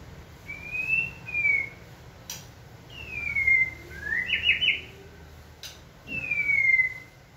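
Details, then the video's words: White-rumped shama prompted to sing during training: long, smooth, falling whistles repeated every few seconds, one followed by a short rapid trill, with sharp clicks in between. "Kỹ thuật kích thích lửa cho chim hót (shama bird)"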